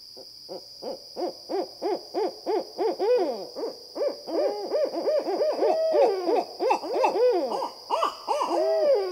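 Barred Owl hooting fast, about three hoots a second, each rising then falling, building into a wild, cackling caterwaul. A thin steady high whine runs underneath.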